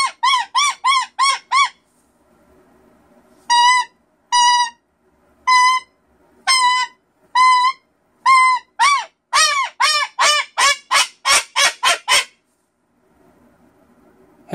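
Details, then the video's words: Pet cockatoo indoors screaming for no reason at all: bursts of short arched squawks, then spaced single shrieks about one per second, building into a fast, accelerating run of harsh notes before silence. "There doesn't have to be a reason to scream. It's just something to do."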